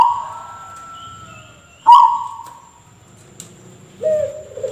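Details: Zebra dove with an odd voice compared to a person coughing: a single abrupt hoarse note near the middle. Thin steady tones come before it, and a brief lower tonal sound follows.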